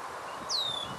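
Red-winged blackbird giving one thin, high whistle that slurs steeply downward and then levels off, lasting about a third of a second, over faint rustling.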